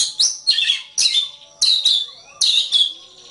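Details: Oriental magpie-robin song in a long-play training recording for songbirds. Loud, rich phrases of high whistles mixed with harsh, scratchy notes. The phrases come in bursts about every half second, with short pauses between them.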